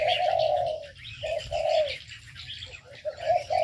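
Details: Aviary birds: a long low cooing note, a pause, then shorter coos, layered over constant thin chirps and twitters from many small birds and a faint low hum.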